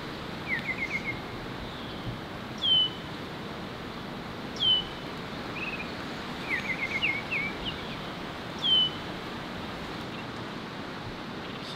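Baltimore oriole giving clear, downslurred whistled notes about every two seconds, mixed with short chattering phrases, over a steady low outdoor hiss.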